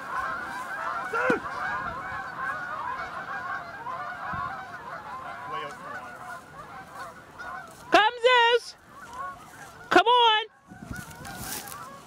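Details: Thousands of Canada geese along the Salmon River near Truro on March 22, 2014, a dense chorus of overlapping nasal honks, with a few louder, closer honks standing out near the end.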